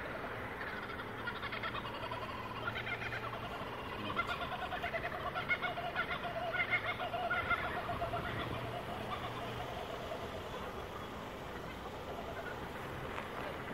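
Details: Two laughing kookaburras perched on top of a pole by a roadside in Australia chortle together in a rolling, cackling chorus that swells in the middle, over a low background hum.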